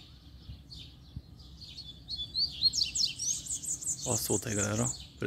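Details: One of two Double-collared Seedeaters found singing on a walk, with a second bird approaching from behind, sings a quick, high twittering phrase of sliding, buzzy notes; a man's voice talks over the end.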